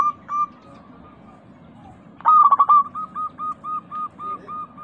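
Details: Local zebra dove (perkutut) used as a lure to get caged birds that have stopped calling to sing: a steady held tone, then a sudden rapid stuttering burst, followed by a string of short, evenly spaced cooing notes over a low background hum.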